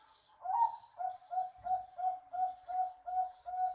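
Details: Training recording of zebra dove song for birds slow to sing. A rising opening note leads into a quick, regular chain of mellow coos, roughly two or three each second, set against a quiet background.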